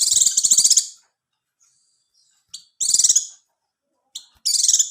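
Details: Oriental white-eye song meant to trigger mating readiness and singing: a long, fast, pulsed high trill opens, then shorter buzzy trills follow, each preceded by a quick sharp chip.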